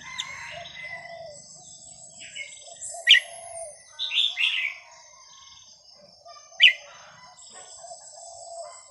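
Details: Red-whiskered bulbul whose varied song is played to teach young birds: scattered sharp notes and a short rich warbled phrase over a hissy background with a thin high tone.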